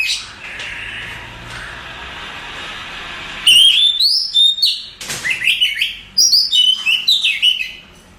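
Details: Oriental magpie-robin, a contest-champion bird, sings after a few seconds of steady hiss: loud, clear whistled phrases that slide up and down, mixed with quick high chirps and short buzzy notes.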